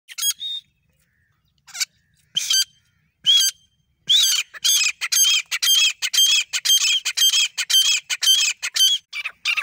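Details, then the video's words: Grey francolin, desi partridge, male and female calling: a few harsh separate notes, then a rapid run of loud, ringing, squawky calls repeated about twice per second, strong and clear. "grey francoline voice mail and female sound"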